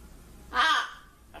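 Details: Trained pet blue-and-gold macaw, known for greeting and imitating crying, lets out a single loud, harsh, broadband squawk of about a quarter second, then a faint start of another.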